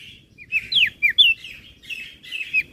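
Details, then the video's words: Crested white-eye from Flores in lively, varied 'gacor isian' song, used as a master recording for training other birds: quick downward-sweeping high whistles and short chirps tumbling together over a faint low hum. "Burung Opior Jambul Flores Gacor Isian - Masteran Burung Kecial Suara Besar"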